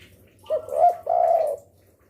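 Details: Spotted dove cooing, a keen caller used to lure other doves: a brief low soft note and a hooked coo, then a longer sustained coo that gently falls away.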